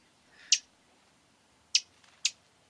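Rufous-crowned Sparrow giving three short, dry chip notes, more like clicks than sharp chips, irregularly spaced over about two seconds. Background otherwise quiet.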